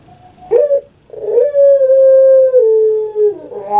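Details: Puter pelung dove kept as a pet in Indonesia. A short rough opening note is followed by one long sustained tonal coo of about two seconds that drops slightly in pitch, then a brief throaty ending.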